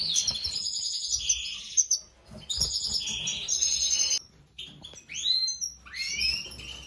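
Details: European goldfinch during breeding, a mutation pair of a eumo male and a pied female: fast, liquid twitter of tinkling and buzzy notes with bright upward-sweeping slurs toward the end, with brief pauses between phrases.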